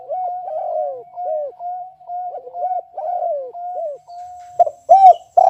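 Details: Spotted dove kept in a cage, singing kuk 1 style: continuous overlapping arched coos over a steady hum-like tone, with louder close coos near the end.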